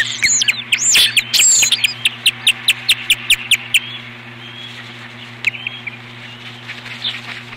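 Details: Osprey defending its nest from an intruder on 21 April 2015: a rapid, even series of about a dozen sharp, high whistled notes lasting a few seconds, then fading to quieter scattered chirps over a low hum.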